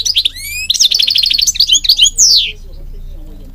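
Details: Singing European goldfinch: rising thin whistles give way to a fast chattering run of notes and a descending slurred phrase, followed by a low steady hum.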